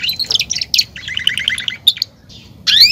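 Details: Male canary, a domesticated cage bird, singing: bursts of bright high twittering, a run of rapid repeated chirps, then a sharp rising whistle at the end.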